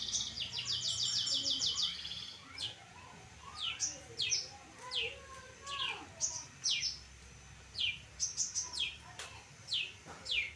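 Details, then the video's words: Pastol long-tailed shrike heard on a tutoring recording: a buzzy, rattling burst opens, followed by sharp, separate high downslurred notes spaced roughly every half second to second. "Burung Cendet Pastol Gacor Dor"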